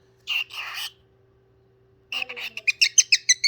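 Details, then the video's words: A parrot singing: a short harsh burst, then a pause of over a second, then a fast run of bright chirped and whistled notes that speeds into sharp, regularly spaced pips. A faint steady low hum runs underneath. "Parrot singing"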